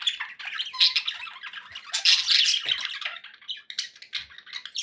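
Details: Happy budgies giving continuous loud warbling, a steady mix of raspy squawks, chirps and whistled notes with no pauses.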